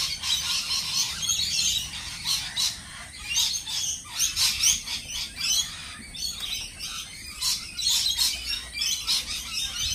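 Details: Lorikeets chatter noisily together, with piercing, raspy screeches overlapping in quick irregular bursts over a steady high din.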